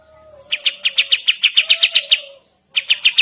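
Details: Sooty-headed bulbul's morning song of quick repeated sharp notes in a short burst, over a faint low steady tone, followed by a brief pause and a new burst.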